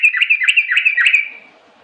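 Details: Sooty-headed bulbul giving a quick, warbling burst of chirpy whistled notes that rise and fall rapidly for about a second, then fade out.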